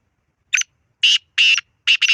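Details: Black francolin calling: a short series of four to five loud, harsh, scratchy grating notes, each a fraction of a second long, spaced about half a second apart, the last two doubled; quiet background otherwise.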